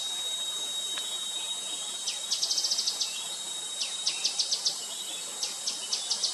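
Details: Gray-headed canary-flycatcher calling with rapid trills of high, thin, clipped notes, then shorter groups of ticks, over a continuous high whine in the background.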